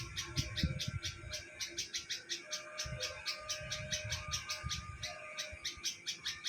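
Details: Bulbul in a neem tree where it nests, Hyderabad, Sindh, Pakistan: rapid, evenly spaced high chirps about four a second, with a steady tonal hum and intermittent low thuds.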